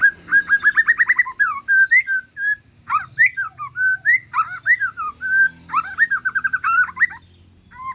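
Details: White-rumped shama, Aceh forest strain, in calm song to get other shamas answering: fast rattling trills of whistled notes alternating with looping slurred whistles and rising phrases, rich and continuous, faint background hiss.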